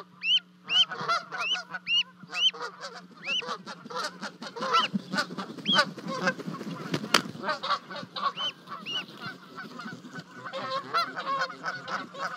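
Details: From a 30-foot-high nest at Charlo, Montana, two goslings leap to their Canada goose parents on 12 May 2020. High rising peeps and harsh honks at first, then a broad rushing noise under continued honking.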